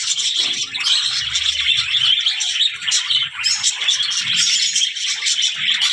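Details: A group of budgerigars, called talking, warbles and chirps without a break: bright, scratchy notes stacked densely, with brief squawks poking through.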